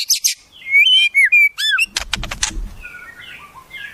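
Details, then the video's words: White-rumped shama song filled with wild-bird mimicry: bright high notes, then smooth clear whistles rising and falling, a burst of harsh clicking rattles, and soft slurred notes fading at the end. "Masteran Murai, Isian Burung Alam Liar"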